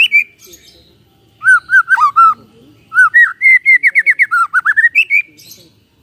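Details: White-rumped shama in full morning song, played to stir quiet shamas into singing: varied rich whistles, a fast chain of rising and falling notes, and a high slurred whistle to finish.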